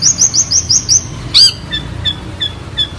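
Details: A long-tailed shrike gives a clear song: a row of six rising high whistled notes, one loud downslurred note, then soft spaced chips about every third of a second.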